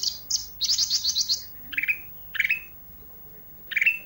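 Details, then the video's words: Olive-backed tailorbird, a gacor bird used for isian song training: a fast high trill of five buzzy notes, then three separate harsher, lower chirps spaced about a second apart. "suara isian, ranting gacor."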